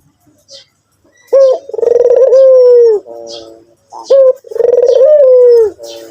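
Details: White Barbary dove cooing: a brief upslurred note, then a long vibrating coo that rises slightly and fades downward, followed by a soft buzzy tail, the phrase repeated twice about three seconds apart.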